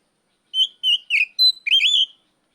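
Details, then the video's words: Kept Oriental magpie-robin's ngeplong call aimed at a rival: a row of short pure whistles, one thin high note, then a drawn-out rolling whistle that wavers before fading. "NGEPLONG TERIYAKAN KACER MEMANGGIL LAWAN"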